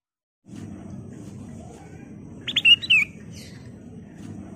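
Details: Sooty-headed bulbul, song used to provoke other birds: one short phrase of clear whistled notes and a descending slurred whistle, set against a steady low hum.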